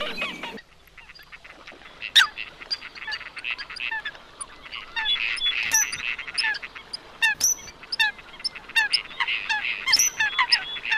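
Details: Coots heard in a chorus of short sharp clicks and nasal honks, many overlapping notes packed densely through the recording.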